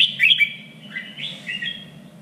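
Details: Red-whiskered bulbul trained for singing contests, three-region standard voice: a sharp, bright burst of notes opens, followed by softer rising and falling warbled whistles, with a constant low electrical hum underneath.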